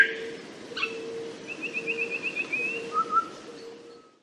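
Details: Little shrikethrush tutor song: a brief sharp note, then a fast even trill of whistled notes, followed by two mellow downslurred whistles, over a steady low electrical hum.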